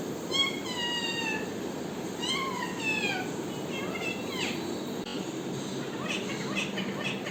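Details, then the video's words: Parrot giving a series of clear, drawn-out harmonic calls that slide downward, then shorter squeaky notes, over a steady loud background hiss. "parrot original voice"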